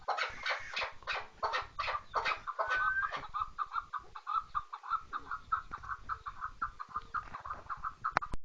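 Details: Chukar partridge calling: a long series of hoarse, clucking chuk notes repeated several times a second, loudest in the first three seconds, then continuing as a steady softer chatter.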